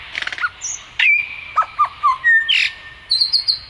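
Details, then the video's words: A bird sings a varied phrase of sharp chirps, short falling whistles and long level whistled notes, ending in a rapid high trill, with a quiet background. "sounds of a bird"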